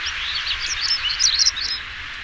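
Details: European stonechat song: a rapid, scratchy, high warbled phrase of twittering notes lasting about one and a half seconds, over a steady background hiss.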